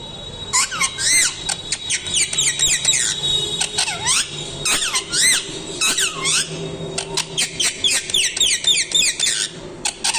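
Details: Shrill, rapid parrot screeches in dense bursts, each note sweeping down then up, repeated several times a second for about ten seconds with brief pauses and a faint steady tone beneath.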